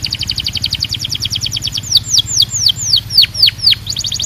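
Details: Belgian canary singing, described as calling all canaries to sing: rapid stacked trilled notes repeating quickly, then a slower run of loud, drawn-out downward-sweeping whistles, returning to fast trilling at the end.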